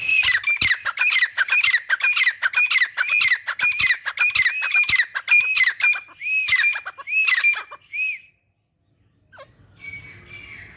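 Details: Pair of grey francolins (Irani teetar) kept in a cage, calling actively: a long run of loud, harsh, ringing squawks repeated about twice a second for eight seconds, ending in a few drawn-out notes, then quiet.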